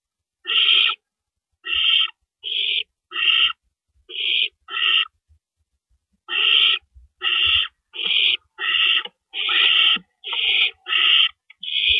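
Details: Owl at a nest before dawn, 4:31 AM on April 4, 2012, while adults deliver rabbits as prey. Rasping hissed screeches repeat irregularly in two bursts, a run of six, a pause, then about nine more with soft knocks underneath.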